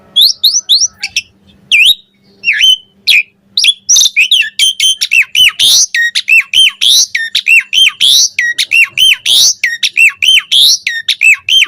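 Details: Asian pied starling full varied song for training birds: scratchy notes at first, then a long fast run of loud repeated hooked whistles and harsh chatter, almost continuous, over a faint low hum.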